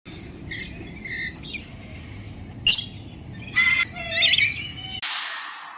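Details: A Swainson's lorikeet gives shrill, grating screeches in short bursts at irregular intervals, ending in a brief rush of noise.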